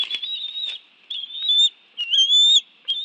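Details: Bald eagles at a nest in Washington, D.C.'s National Arboretum, 11 June 2017 afternoon, during a fish meal with two adults and two young; three clear, thin whistled notes, each under a second, rising gently, with short silences between.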